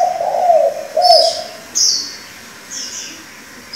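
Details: Throaty rolling coos from a spotted dove kept as a decoy for training young birds, two wavering notes in the first second and a half, followed by scattered high chirps from other birds and quiet background.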